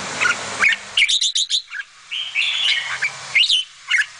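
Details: Bulbul adult feeding her chicks; sharp chirps and short whistled notes around a high pitch come in quick bursts with brief pauses, some notes sliding upward.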